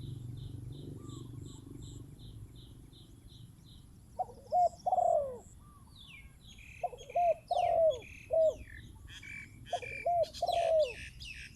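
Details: Spotted dove used as a decoy bird, calling in the open: bursts of deep, hooked coos in short groups of three or four, with faint chirps of small birds in the background.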